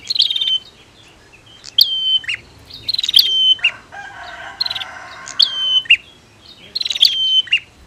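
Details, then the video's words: Prinias, female versus male, used to excite birds that stopped singing: repeated sharp whistles and ticking trills, with a harsher layered bird call in between. "SUARA Prenjak betina VS Prenjak Jantan !! Ampuh Dongkrak Emosi Burung Macet Bunyi"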